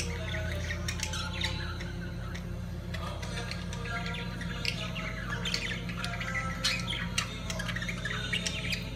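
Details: Lovebirds during mating keep up a busy stream of thin chirps and brief squawks, fairly soft, over a constant low droning hum.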